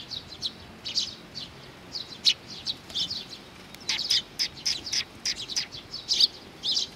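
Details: On 4 June 2020 at Mizukami Bridge, several Eurasian tree sparrows coming to be fed give scattered high chirps that thicken into a rapid, overlapping chatter during the second half.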